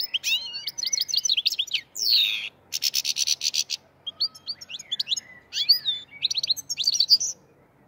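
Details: From the Fergana region, a European goldfinch delivers liquely tumbling twitters, a harsh buzzy sweep near the second mark, then a dense rattling trill and further tinkling, chirpy phrases to the end.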